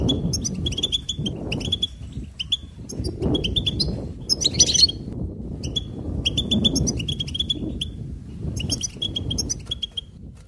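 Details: Goldfinch singing, bright high twittering trills and quick chirps in bursts over about ten seconds, with a steady low rumble of background noise underneath.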